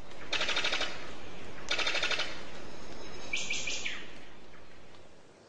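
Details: Brown sicklebill (Epimachus meyeri), a bird of paradise, gives its very non-birdlike machine-gun call: two loud, rapid mechanical rattles followed by a shorter, higher stuttering note, over a steady background hiss.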